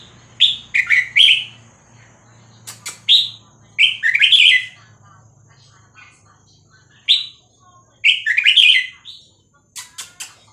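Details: Vietnamese-type red-whiskered bulbul song in the 3-4-5-6-7 style, used for tutoring young birds and stirring birds up. Rich warbled whistles in short rolling phrases about every two seconds, with scattered clicks and a low hum.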